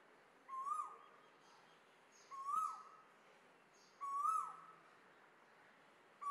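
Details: Asian koel in India giving loud, rising, whistled notes, repeated about every two seconds, with faint high chirps from other birds behind.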